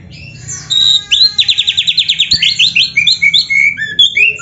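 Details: Oriental magpie-robin 'gacor full isian' song used to train caged birds: a long, rapid pulsing trill of high notes, followed by varied whistled slurs and chirps.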